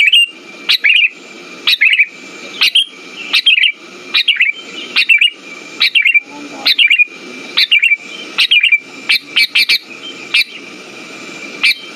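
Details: Song of a sooty-headed bulbul used to coax silent birds into singing. Some fifteen quick bubbly phrases follow one another at an uneven rhythm, bright and chirpy, with a steady high whine underneath.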